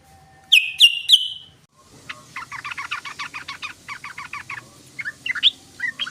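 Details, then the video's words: Sooty-headed bulbul chattering in the ngoceh or ngeriwik style: three loud clipped chirps open, then after a pause a fast, busy burst of dry, scratchy notes runs on, ending in a few louder squeaky notes. "SUARA BURUNG TRUCUKAN❗❗❗TRUCUKAN NGOCEH❗❗❗TRUCUKAN NGERIWIK❗❗❗"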